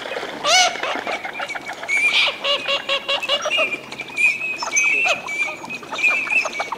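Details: Eurasian teal displaying in a Spanish wetland in winter, 25 December 2015; a flock gives overlapping short piping whistles and nasal calls, busy and continuous.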